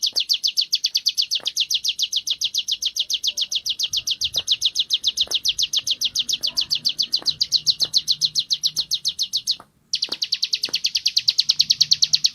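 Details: Sunda warbler practising ngebren song: a long train of quick, regular high chirps that stops briefly near the ten-second mark, then resumes at the same rapid pace.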